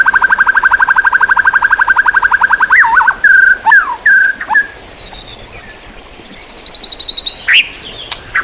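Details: Songbird training material: a long rapid rattling trill of repeated notes, then a few clear whistles and a high, thin, sustained whistle that slowly falls in pitch.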